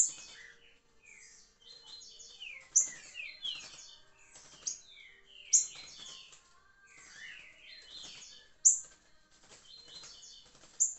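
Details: Rufous-bellied thrush, a smooth-voiced bird, singing phrases of clear whistled notes sliding down and up between mid and high pitch, with sharp bright accents roughly every two to three seconds.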